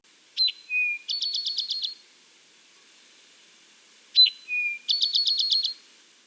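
An Eastern Towhee sings a sharp high note, a lower slurred note, then a fast ringing trill, 'drink-your-tea', given twice about four seconds apart.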